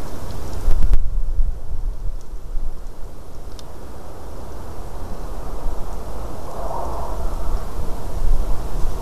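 Steady low rumble of wind and rain-like noise, with a few faint clicks and no animal voice.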